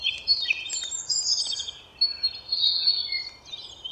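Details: Forest birds twittering: several high-pitched, overlapping chirps, trills and thin whistles, with a faint hiss of background noise.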